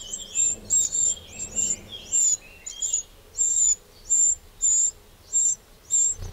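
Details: A Eurasian wren in a garden in the Châtillonnais, Burgundy, France, on 2 June 2023 gives a steady series of high, thin, sharp call notes, roughly two per second, over a faint low background hum.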